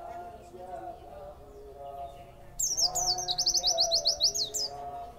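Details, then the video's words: A pet white-eye (pleci), fed extra food and then prompted to sing, bursts into a fast, high twittering run of thin, bouncing "wit-wit" notes for about two seconds, over a steady low murmur of voices. "pleci materi wit,wit"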